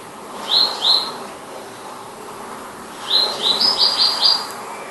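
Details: Palestine sunbird singing two clear high chirps, a pause of about two seconds, then a brisk series of five or six sharp, similar notes, with soft low background noise.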